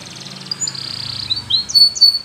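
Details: Spanish Timbrado canary for training a silent canary: soft high whistles and a short rising slur over noticeable low hum and hiss, growing louder toward the end.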